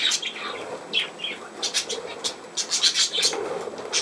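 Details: Budgerigar chattering with rapid high chirps and raspy buzzes, the notes tumbling quickly one after another over a soft continuous warble.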